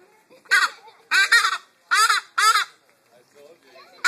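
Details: A captive male bustard at Jacksonville Zoo gives harsh, raspy squawks in short bursts, about five in four seconds, with faint murmuring between them.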